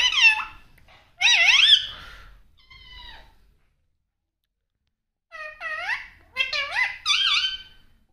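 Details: Pet parrot mimicking speech indoors, several wavering, rising and falling harmonic syllables in short bursts separated by a pause of about two seconds.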